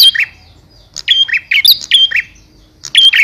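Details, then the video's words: A male Bar-winged prinia calling to a female gives bright, sharp chirping bursts in quick clusters about every half second to a second, against a quiet background. "Suara Burung Prenjak Jantan Memanggil Betina"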